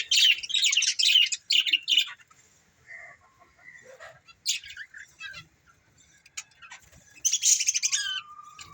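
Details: Budgerigar breeding pair giving bursts of harsh chirping chatter, then quieter scattered squeaks and a soft whistled note before a final loud burst of chirps.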